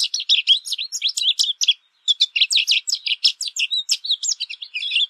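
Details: American goldfinch song: a fast, continuous run of high twittering and chirping notes, with sweeping and buzzy elements mixed in and a brief pause near the middle.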